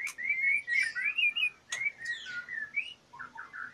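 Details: Caged female white-rumped shama in breeding condition, singing varied warbled phrases of whistled notes with sharp clicks between them, ending in short quick repeated notes.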